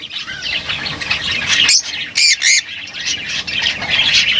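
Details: Lovebirds chattering: dense high squawky twittering with a few loud harsh squawks near the middle, continuous background chirping throughout.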